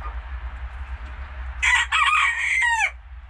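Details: Captive common pheasant on a farm, nervous and feeling threatened by the approaching keeper: one loud, harsh, grating call lasting just over a second with a falling end, after a quiet stretch of low rumbling background noise.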